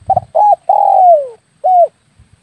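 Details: Hunting lure call of the spotted dove: a brief low thump, then short double coos, an arched note, a long downward-sliding coo and a separate final coo after a short gap.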